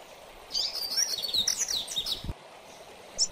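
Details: Mateiro-style song of a double-collared seedeater, a style said to excite most coleiros: one rapid high phrase of warbled, slurred whistles and trills lasting about two seconds, then a single sharp chip.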